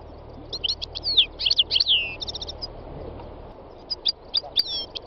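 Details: Wild European goldfinch, locally called khalwi, singing a rapid tinkling run of bright twittering notes and buzzy downslurred trills, pausing briefly, then resuming with scattered sharp chirps over a low steady background hiss.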